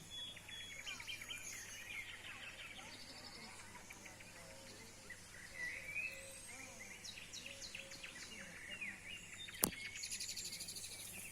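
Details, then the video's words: Several birds chirp and trill together in quick, high, overlapping phrases, with one sharp click near the end and a low steady hum underneath. "Birds sounds"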